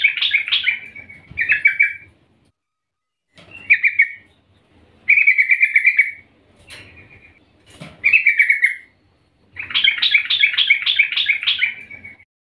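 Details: In the morning, a female yellow-vented bulbul calls for the male with bursts of bubbly, chattering chirps.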